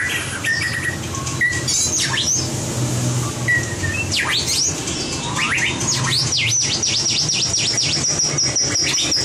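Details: Competition-style song of a white-rumped shama used for training: clear whistles at first, then steep swooping notes dropping and rising, ending in a fast run of repeated high sweeping notes, over a low hum.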